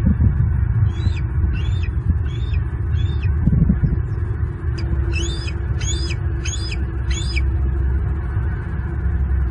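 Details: Bald eagles at a nest in Southwest Florida in late March, two eaglets beaking and nibbling each other; a series of about ten thin, high, squealing chirps repeated under heavy low wind rumble.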